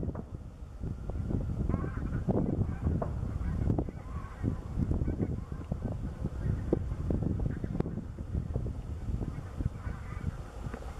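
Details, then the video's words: Taiga bean geese in flight over the Slamanan Plateau, Scotland, on 16 November 2017, flushed by gunshots nearby; a flock gives overlapping low honking calls throughout, over heavy low rumble and wind noise. "Taiga Bean Geese in-flight"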